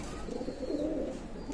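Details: Pakistani high flying pigeon at a loft in Daulatpur, Khulna, Bangladesh, recorded 04/08/2026; a low, soft rolling coo swelling through the middle second, over a faint steady background hum.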